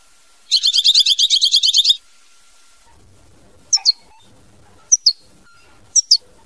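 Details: Goldfinch singing mama binette style: a rapid, even rattling trill of about a dozen high notes over one and a half seconds, followed by three pairs of sharp chirps.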